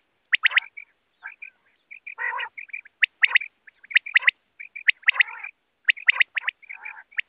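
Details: Quail calling, presented as a night call: repeated sharp triple notes, with softer short chirps and occasional rasping bursts between them, giving a busy, steady rhythm over a quiet background.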